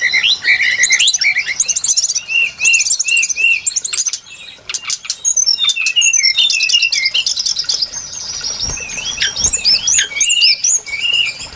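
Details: Brown-chested jungle flycatcher song played as a lure for trapping: a long, varied run of short arched whistles and twittering notes, with repeated lower phrases and occasional quiet gaps.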